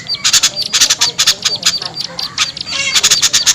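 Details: Small birds' lure call to coax shy birds downward: clipped, piercing high chirps in quick irregular groups, roughly two per second, with a faint thin whistle between bursts.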